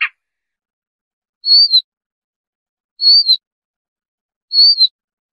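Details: Siberian rubythroat whistle used for trapping: a clipped click at the start, then three high, thin whistled notes that rise and fall, evenly repeated about every 1.5 seconds over silence.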